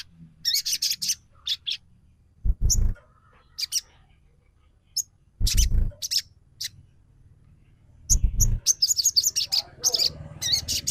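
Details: Sogon trotol lure for provoking song: clusters of sharp, high, squeaky chirps between silences, interrupted by heavy low thumping bursts, ending in a fast, dense chatter.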